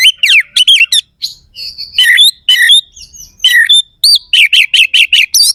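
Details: Kacer, or Oriental magpie-robin, singing rough "isian kasar" fill-ins meant to agitate competing males: dense scratchy chatter, brief pauses, then a rapid run of six looping rising notes.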